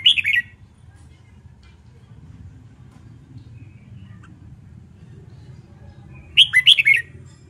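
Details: Red-whiskered bulbul practising contest song: a short bubbly phrase of rising and falling whistles at the start and a similar five-note phrase near the end, with steady low background hum between.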